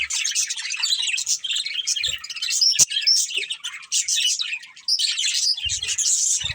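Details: Budgies of a pet family group twitter and chirp in lively high bursts, with one sharp click and a short quiet gap before the chatter resumes.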